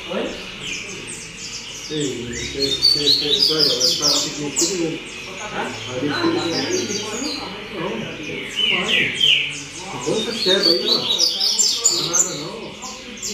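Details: A double-collared seedeater gives a strong song of loud, rapid twittering phrases with high chips and buzzy notes, while a person talks in Portuguese in the background throughout.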